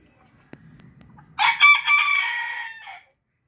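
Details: A Booted bantam rooster gives one loud, harsh crow lasting about a second and a half, rising then holding and fading; a faint click precedes it.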